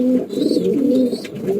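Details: Pigeons kept indoors in summer heat, a steady run of low, throaty coos that waver up and down in pitch, filling the space with little pause.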